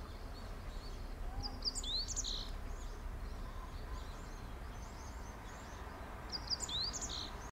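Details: Meadow bunting (Emberiza cioides) song: two quick, high, jumbled phrases, one early and one near the end, with fainter notes between, over a steady low rumble.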